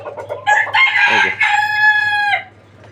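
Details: Desi chickens on a small farm flock of 29 free-range birds: a few quiet clucks lead into a loud rooster crow with a rough opening burst and a long, sustained, level final note, over a low constant background hum.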